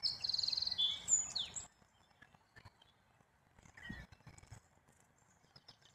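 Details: Black-capped chickadee giving a rapid high trill of evenly spaced notes lasting under a second, followed by a few sharp descending high notes, then near quiet with faint scattered clicks and soft low rumbles.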